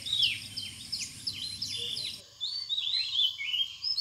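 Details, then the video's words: Purple sunbird, Cinnyris asiaticus, from Bangladesh: quick high-pitched chirps and sharp down-slurred notes in rapid runs, then thinner rising twitters after a brief pause, with a steady faint hum underneath. "মৌটুসী পাখি|Purple Sunbird|Sunbird|Cinnyris asiaticus"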